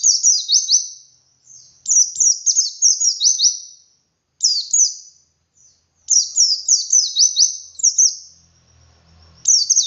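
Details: Wild-style 'ngalas' white-eye song, 'wit wit' variation, meant as a lure to get other white-eyes singing: several quick bursts of thin, high descending whistles, with a faint low rumble near the end.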